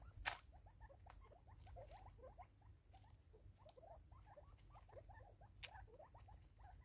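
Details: Five Natal spurfowl eat together in South Africa, 2024, keeping up a busy, rhythmic chatter of short low clucks, many per second, with two sharp snapping clicks and faint pecking sounds.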